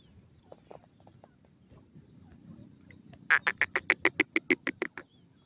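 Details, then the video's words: Francolin (teetar) giving a rapid burst of about eleven loud, harsh, grating notes in under two seconds, after a few faint scattered notes, against a low background rumble. "badami teetar ki awaaz,partridge bird sond"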